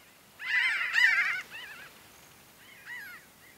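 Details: Pinyon jays calling as a flock while foraging and in flight at Great Sand Dunes, San Luis Valley, southern Colorado: a loud second-long jumble of nasal, wavering notes from several birds, then shorter scattered nasal calls trailing off.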